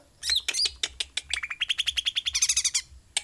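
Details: Sooty-headed bulbul singing vigorously: a loud, rapid series of short sharp notes, first varied and high, then a fast steady trill of about twenty repeated chips, ending with one more note, over a faint low hum.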